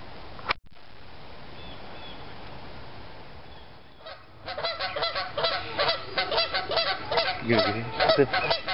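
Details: At Lake Lanier on a rainy Sunday morning after a cold, long winter, hungry Canada geese come for peanuts. After a few seconds of steady rain-like hiss they break into a loud, rapid chorus of overlapping nasal honks.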